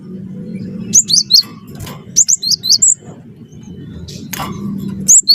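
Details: Cinereous tit of the wingko variety in lively song, used to trigger singing in other birds; two short bursts of four shrill, slurred whistles each, about a second apart, with faint low rumble behind.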